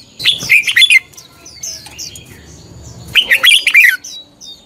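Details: Red-whiskered bulbul morning training song, a fighting-style lure song used to stir other birds to sing: two bursts of bright, rapid warbled and whistled notes a few seconds apart, with quiet gaps and faint high chirps between.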